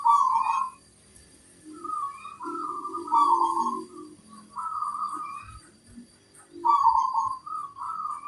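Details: Local zebra dove singing hard with a large 'kung' note: repeated soft coo phrases near one pitch, with lower muffled cooing from another bird underneath and a few knocks.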